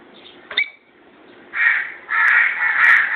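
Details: Two pet lovebirds calling: a short sharp note, then after a pause three loud, harsh, rasping screeches close together in the final second and a half.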